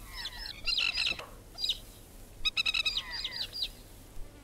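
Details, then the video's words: A Masked Lapwing (Spur-winged Plover) in Australia gives loud, harsh, rapid rattling bursts of staccato notes, several chattering runs in quick succession, with faint background hiss. "Spur-Winged Plover"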